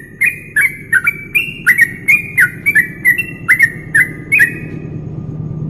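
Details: Yellow-vented bulbul song used as a training recording for songbird contests, for morning and night practice: short whistled two-note phrases, slurred and slightly rising, repeated about twice a second over a low steady hum.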